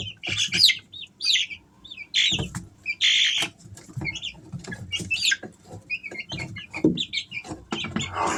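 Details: Shrill, piping chirps from three-week-old Easter Egger chicks come in clustered runs, some notes rising and falling, with low thumps and scratching noises underneath.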